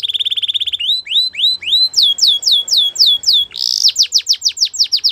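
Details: Belgian canary singing a fast trill, then rising and looping whistled phrases, a buzzy burst and a run of sharp descending notes.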